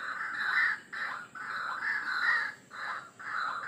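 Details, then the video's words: White-breasted waterhen lure call: a few loud, harsh, grating squawks, each under a second, separated by short pauses, with a faint steady hiss. "Suara Pikat Ruak Ruak Ampuh"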